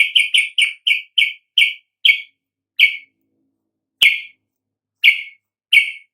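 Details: Yellow-vented bulbul calling as a lure for other birds to sing: a quick run of scratchy chirps that slows, spreads to a second or more apart, then continues as isolated notes, one with a sharp click.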